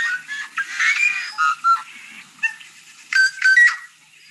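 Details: In spring, a yellow-headed blackbird sings harsh, grating buzzes broken by a few short whistled notes, in irregular noisy bursts over about four seconds.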